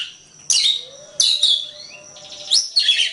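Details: Oriental magpie-robin master song for training birds: harsh, broad-band chattering bursts and a rising whistle, with a faint steady low tone throughout.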